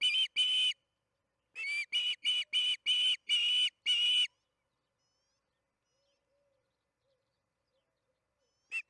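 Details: Evening feeding at the Charlo osprey nest, June 21, 2019, 8:15 pm MDT, recorded by nest camera. A pair of piercing whistles, then seven rapid chirps, quiet for several seconds, and one final call at the end.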